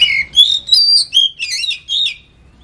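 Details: Kacer, the oriental magpie-robin, in ngetem-style lure song: a short run of clear whistles and scratchy, buzzy notes rising and falling, delivered in quick succession, then ending in quiet.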